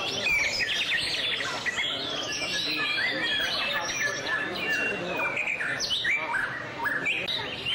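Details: Song display of a White-rumped shama: a rich, busy stream of varied whistles, chirps and rapid trills crowding the high range for nearly eight seconds, against faint outdoor noise.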